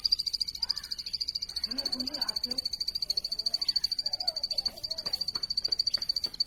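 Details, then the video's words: Plain prinia song: a long, steady series of sharp, high ticking notes, about three or four per second, with softer chattering from other birds underneath. "plain prinia bird chirping"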